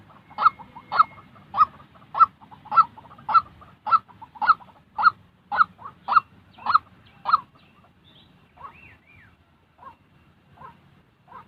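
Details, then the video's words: A real white-breasted waterhen, recorded to train decoy birds for trapping, gives about fourteen strong, repeated notes at a brisk steady pace, then falls to a few softer, scattered calls. "tiếng chim quốc thật"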